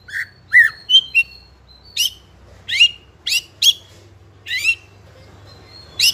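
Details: White-rumped shama in spotted young plumage, fighter type, using continuous song to provoke other young birds: loud sweeping upslurred notes spaced about half a second to a second apart, mixed with clear whistles.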